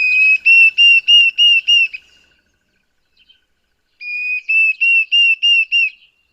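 Diederik Cuckoo: two bursts of clear, high whistled notes repeated about three per second, the familiar plaintive 'dee-dee-deederik' phrase, with a short pause between bursts.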